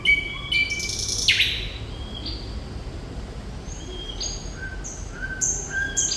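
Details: Thrush nightingale singing steadily ('gacor'): long pure whistled notes at different pitches, a brief harsh burst at one second, then spaced high whistles and short slurred notes over a faint low hum.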